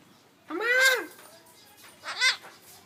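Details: Pet Rose-ringed parakeet, an Indian ringneck, learning to talk and imitating a cat: a long arched meow-like call, then a shorter fainter one, amid indoor background noise.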